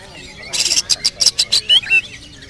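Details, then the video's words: Oriental magpie-robin (kacer) singing a featured fill song in the topeng murka style: a run of harsh, buzzy bursts repeated about every quarter second, then sweeping, whistled notes that rise and fall. "Isian tonjolan burung kacer TOPENG MURKA"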